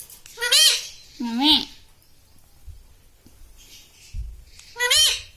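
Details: Household parrot repeating learned words like "mummy" and "papa"; three shrill, arched syllables with silence between, plus faint low thuds in the room.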